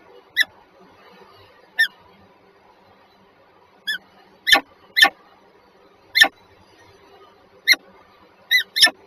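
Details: A pair of named peregrine falcons at Żerań, Warsaw, Poland, 14 February 2023 at 7:47, giving about ten scattered, scratchy notes. Earlier ones are thin and quieter, later ones louder and harsher, over a steady low rumble.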